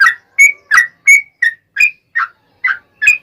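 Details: A yellow-vented bulbul's song meant to prompt other bulbuls to reply, made of separate short whistled notes, some rising and some dropping, spaced evenly at roughly three per second.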